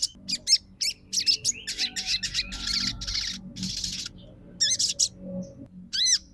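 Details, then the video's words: Crimson sunbird song played to stir other birds into singing: bursts of high, thin chirps and buzzy twitters in irregular clusters, with a low hum in the background. "PANCINGAN SOGON TROTOL MACET BUNYI LANGSUNG RESPON & NYAUT!!"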